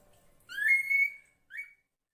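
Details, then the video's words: Female drongo calling to attract the male: a clear, rising whistled note held nearly a second, followed by a brief second whistle, in near silence. "SUARA BURUNG SRIGUNTING BETINA UNTUK MEMANCING SI JANTAN AGAR CEPAT GACOR"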